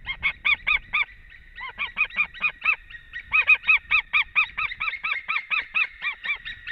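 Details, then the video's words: Reunion of a male and female white-tailed eagle at their Latvian nest, afternoon in early March; fast series of high, barking yelps, slightly uneven, with overlapping notes suggesting both birds calling. "Male came in Happy reunion"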